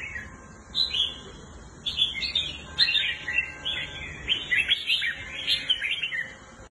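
A red-whiskered bulbul sings bright, warbling phrases. The short liquid bursts come roughly once a second over a quiet background hiss.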